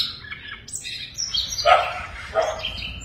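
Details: Siberian rubythroat kept in a cage delivers a jumbled warble mixing high whistles with lower, harsher buzzy bursts, loudest near the middle and end.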